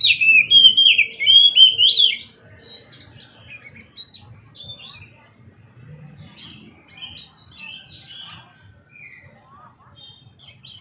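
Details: Oriental magpie-robin in lively, dancing song: it opens with loud, rich warbled whistles sliding up and down, then continues with softer, scattered chirps and brief twittering notes, over faint low background rumble.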